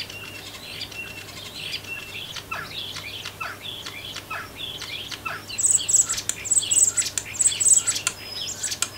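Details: A wild common starling sings in full breeding-season song while waiting by garden feeders: a rambling medley of whistles, squeaks, clicks and rattles, with louder high chattering toward the end; it may be mimicking a jackdaw and a wren.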